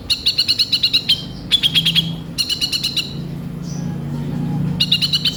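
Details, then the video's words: Kolibri ninja sunbird in lively full song with a coarse fill-in style, a lure recording: repeated quick trains of bright high chirps broken by short gaps, with a faint low hum underneath. "Pancingan suara burung kolibri ninja gacor full isian kasar"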